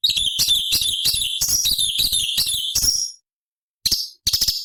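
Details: Forest song of the cucak cungkok bulbul, used for training other songbirds, with high-octave variations: a continuous chattering run of quick, high warbled notes for three seconds, then silence and two brief chips.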